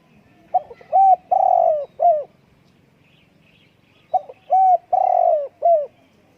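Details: Spotted dove cooing two matching phrases about four seconds apart. Each has a quick broken note, a steady coo, a long rough coo and a closing downward coo, with faint rustling between them.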